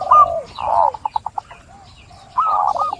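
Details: Zebra dove: a drawn-out coo, then a series of short, evenly spaced pulsing notes, then a final rolling, warbled phrase after a quiet gap.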